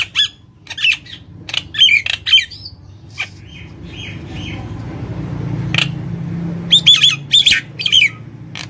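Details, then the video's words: Gacor Nias hill myna used as a lure: scattered harsh squawks and clipped whistled notes, a quieter stretch with a low hum in the background, then a final burst of ringing notes. "Pancing jalak nias dirumah dengan suara jalak nias gacor ini"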